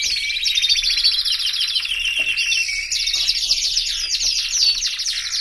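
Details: A canary pours out an unbroken stream of very high, dense trills, loud and steady throughout, with a sudden change of phrase about halfway.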